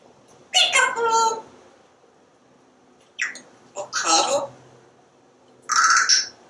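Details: Parrot chattering away on its screened back porch as it watches squirrels and birdies, known to say words like corn, kisses and you're all wet. Three raspy, speech-like phrases are separated by pauses of about two seconds.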